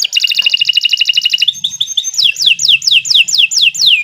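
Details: Long, steady canary song used as a master recording to train other birds. A rapid rattling trill runs for over a second, then turns into a series of loud, evenly spaced down-slurred whistles, about three per second.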